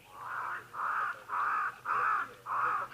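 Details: Pied crows at a waterhole, a pair often heard in the background of a live wildlife camera; five harsh, evenly spaced caws, each about half a second long, come roughly every half second.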